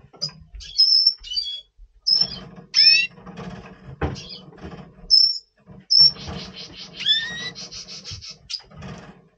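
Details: Red siskin, a double pastel colour form, singing in November 2023 ahead of breeding: high twittering notes, rising whistled slurs and a rapid buzzy trill, with low hum underneath.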